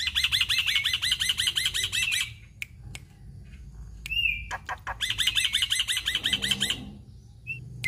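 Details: Black-winged myna pouring out 'gacor full isian' song: dense bursts of harsh, buzzy repeated chatter, broken by clicks and a short whistled phrase, then another long chattering run.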